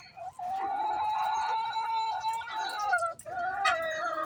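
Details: Chicken calling before laying eggs: a long, drawn-out, nasal tone held steadily for about four seconds, briefly broken near the three-second mark, with rich harmonics and faint background noise.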